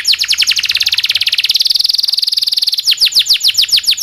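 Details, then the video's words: Canary master song for tutoring young birds: a quick, even rolling trill of repeated high chirps that blurs into a continuous buzzy tone, then breaks back into separate down-slurred notes. "SUARA BURUNG kenari gacor cuit cuit ngerol panjang ini buat MASTERAN KENARI dan PANCINGAN KENARI"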